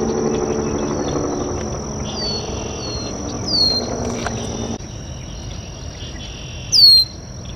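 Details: Red-winged blackbird at a local water basin: a few thin, downslurred whistled calls, then one loud sharp descending whistle near the end, over a constant high-pitched insect drone and low background rumble.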